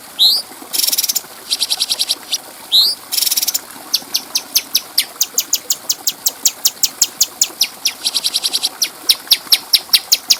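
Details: High bulbul song recorded as a clear training track for other birds. Buzzy bursts and bright upslurred whistles open the clip, then a long series of quick, sharp chip notes follows at an uneven pace.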